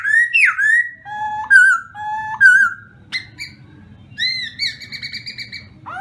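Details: Black-throated laughingthrush: varied whistled song with falling slurs, level flute-like notes and wavering tones, a sharp click, then sustained high double-toned whistles.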